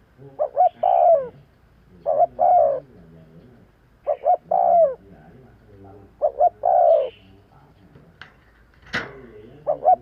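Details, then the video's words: Spotted dove giving its luring call four times in a row, each phrase double short coo plus long falling coo, with a few sharp clicks and knocks near the end. "Tiếng chim cu gáy kèm kích bổi nhanh nổi - Suara yang menarik suara Tekukur Enak Didengar Buat Pikat"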